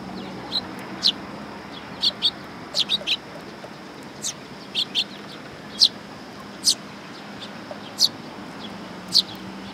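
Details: Sparrows at a Tenmangu shrine coming to be fed, recorded 27 August 2022: short, sharp high chirps scattered irregularly, roughly one a second, over a steady low background hum.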